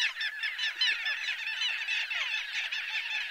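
A busy chorus of Little Gulls gives short, nasal, high-pitched calls, overlapping and repeated more than once a second in a constant chatter.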